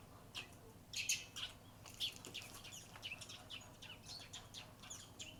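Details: Wild Eurasian tree sparrow in Japan on a June 2021 morning, visiting before flying away: a quick series of short, bright chirps, several each second, louder near the start, over a low steady background hum.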